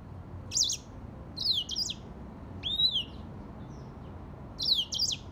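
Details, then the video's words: Grey singing finch singing in brief, high phrases roughly a second apart: quick warbled zigzags of whistled notes alternating with one smooth arching whistle. "تغريد ياسمين رصاصي افريقي chanteur "d'Afrique"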